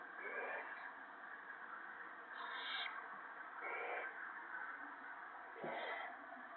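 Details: Owl at a nest with owlets on March 28, 2017, evening, as an adult shreds a gopher for the young: harsh, breathy hissing bursts, four of them spaced irregularly over a steady background hiss.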